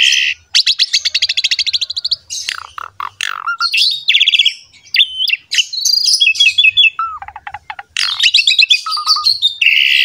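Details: Asian pied starling pouring out a long, varied song to prompt other starlings: dense fast chatter, clicks, buzzy bursts and clear whistles, some low and level, some high and looping.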